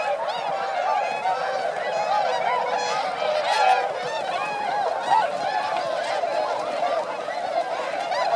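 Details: Around 905 swans wintering at rice paddies of Motono, Inzai, Chiba, Japan, December 2014, calling in flight; unbroken chorus of honking, trumpet-like calls from many birds overlapping.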